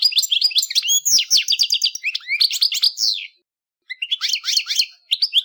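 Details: Captive European goldfinch delivering its quick, joyful trilled song: tumbling high twitters and rising slurred whistles in two bursts separated by a short pause, with no other sounds.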